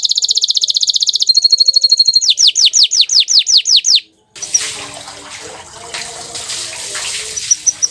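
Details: Bottle-green canary trilling rapidly, then singing a row of sharp downward-sweeping notes, after which a steady rushing, water-like noise takes over with a few faint high chirps.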